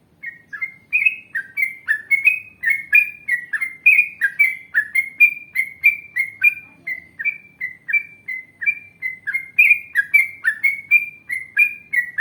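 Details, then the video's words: Yellow-vented bulbul in a long, continuous ngalas and ropel song style: a lively, unbroken run of liquid, gurgling slurred notes, several per second, kept up for over ten seconds. "Masteran Trucukan Gacor Ngalas Panjang Ropel Panjang"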